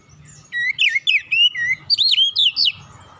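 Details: Relaxed Oriental magpie-robin song meant to lure young birds into singing: a rapid run of about ten loud, looping whistled notes sweeping up and down, with a quiet low rumble in the background.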